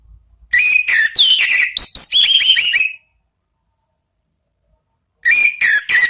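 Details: Orange-headed thrush singing a rich, fast run of high whistles, slurred downward notes and quick repeated chips. A pause follows, then a second bright burst.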